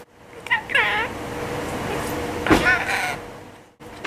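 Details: Three-year-old male budgerigar kept as a pet in Mie Prefecture, Japan, chattering in Kansai dialect while talking back to its owner. Short warbling, voice-like bursts come early and again near the middle, over a steady background hum and human speech.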